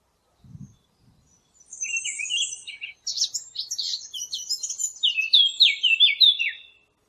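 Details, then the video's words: Birds chirping in a lively, continuous chorus of high twittering phrases, some buzzy and some sliding downward, with overlapping voices after a soft low thump at the very beginning. "نصف ساعة من صوت العصافير الجميل ، Yarım saat kuş cıvıltısı ، Half an hour of birds chirping"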